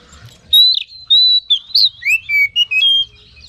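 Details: Oriental magpie-robin (kacer) singing as a lure to excite rival birds: a run of loud clear whistles, some held steady, others slurred and dipping, shifting pitch between notes with short pauses.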